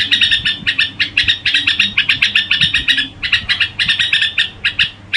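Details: Red-whiskered bulbul performing gù song, a continuous stream of rapid chattered notes that briefly thins out after the third second, then resumes in quick bursts.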